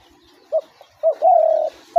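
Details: Spotted dove cooing, used to draw doves into traps: two brief hoots, then one long steady coo, with a new coo starting just at the close over a faint steady hum.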